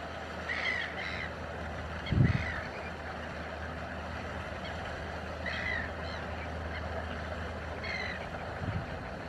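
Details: Chilean flamingo (Phoenicopterus chilensis) at Laguna Negra giving a few spaced, nasal goose-like honks every two to three seconds over a steady low rumble of engine or water noise.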